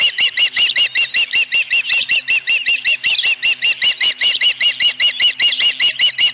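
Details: Osprey on its nest with a fish at Dunrovin Ranch, 26 May 2020, late afternoon, on a live camera: loud, high, piercing chirps repeated steadily about two and a half times a second without a break.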